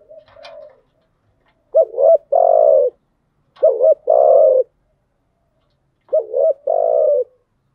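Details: Decoy hen spotted dove calling to stimulate newly caught doves, 'thúc gù' and 'gáy gọi' style: three clear low coo phrases, each a quick double note then a long even coo, roughly every two seconds.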